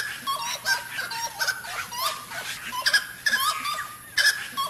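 A wood-rail gives loud, raucous nasal cackles in uneven bursts, harsh notes tumbling over one another against a faint background hiss.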